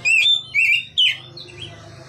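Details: An Oriental magpie-robin gives three loud, ringing whistled notes, the last swooping downward, followed by soft fading chirps. The ngeplong-style song was recorded with an Android phone to lure young birds.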